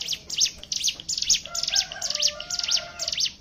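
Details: Lure song of a hill prinia meant to provoke other birds into singing: crisp high chirps repeated about twice a second, with a softer, lower whistled line running underneath.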